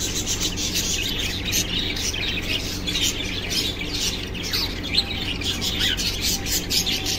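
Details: Cockatiel love sounds: dense, high twittering chirps in rapid overlapping bursts, with a few short sliding notes near the end, against a constant low mechanical hum.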